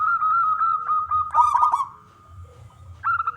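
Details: Male local wild zebra dove singing to coax other doves to call: a long steady tone with quick pulsed notes, then a bubbling rolled phrase midway, a pause, and the tone returning at the end.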